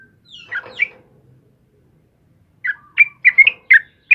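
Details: Yellow-vented bulbul in full lively song, used as a master recording for training birds: a slurred descending whistle into chirps, a gap, then a rapid run of bright bubbling notes about two to three per second.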